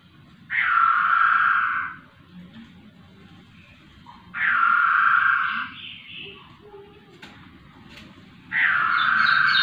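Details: Laughingthrush singing actively: long, loud, flat, grating notes about one and a half seconds each, repeated roughly every four seconds, with faint clicks and low murmuring background between them.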